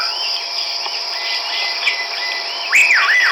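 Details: Chestnut-backed laughingthrush (Pterorhinus nuchalis) recorded 17 March 2010 at Hukaung Valley Wildlife Sanctuary, Kachin State, Myanmar: a loud, looping whistle of rising and falling arched notes near the end, fainter whistles earlier, over a steady high cricket drone.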